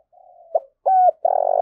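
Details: Spotted dove giving its fight-provoking coo, a soft drawn-out murmur, a short clipped note, then a strong hollow coo dropping at the end and a long throbbing note.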